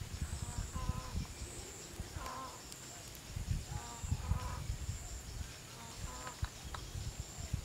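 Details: Green peafowl flock, about seventy birds gathering in late afternoon at a peafowl site in Chun district, Phayao, Thailand, during the 2018 counting season: harsh, nasal, harmonic calls in short bursts, several overlapping, over a steady high insect drone and low wind rumble.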